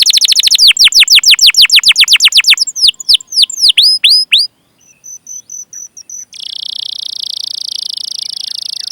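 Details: Canary chirping cuit-cuit in long vigorous song, used as a lure for young, untrained or silent canaries. Rapid falling whistled sweeps slow into spaced notes, a short pause with faint ticks, then a sustained high buzzy roll.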